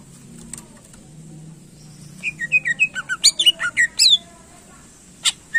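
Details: Cucak ijo, the greater green leafbird, singing to excite contest birds: quiet opening, then from about two seconds a quick series of whistled chirps and downward-sweeping notes, ending with two short isolated calls.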